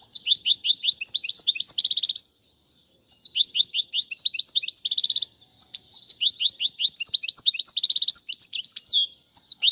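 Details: Goldfinch singing for tutoring young birds. Fast, bright twitter phrases mix sharp chirps with buzzy rattling trills, broken by two short pauses. Clean background.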